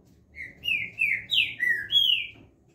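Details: Green-winged saltator (trinca-ferro) delivering a phrase of six loud whistled notes, alternately dipping and rising, over a faint low background hum.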